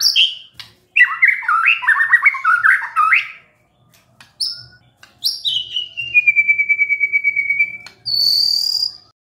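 A White-rumped shama sings a rich, varied song: fluty whistles and chattering phrases, then a quick even trill and a high, bright closing note.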